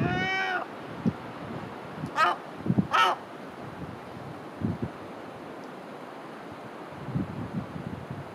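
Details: A herring gull gives one drawn-out, falling, mewing call, then scattered clicks, handling thumps and a low wind rumble, in January 2018 at the Great Orme, Llandudno, North Wales.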